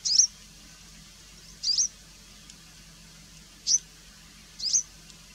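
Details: A Variable Wheatear (Oenanthe picata) gives four short, high, thin chirps at irregular gaps of one to two seconds. A faint low hum runs underneath.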